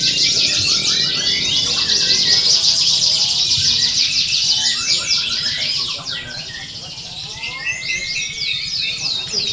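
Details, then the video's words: Contest canaries singing together, used to train a champion bird; fast, evenly repeated high trills dominate at first, then thin out into separated whistled and rattling phrases, with murmured voices in the background. "Suara Kenari Lomba"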